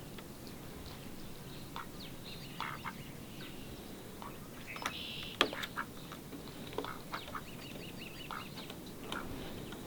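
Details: A mallard pair that arrived unusually early in spring, on 10 March, gives a few short, scattered quacks at uneven intervals, with one louder call midway, over a steady low rumble of wind or background noise.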